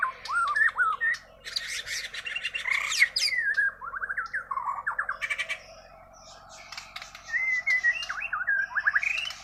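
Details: White-rumped shama from Kalimantan giving its natural song: sharp upslurred whistles, loud scratchy bursts, cascades of falling notes and short whistled figures, with brief pauses between bursts.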